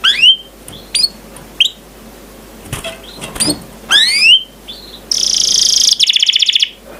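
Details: Canary master song for training other birds to sing: separate rising whistled sweeps and chirps, followed by a dense buzzy note and a fast rattling trill at the end.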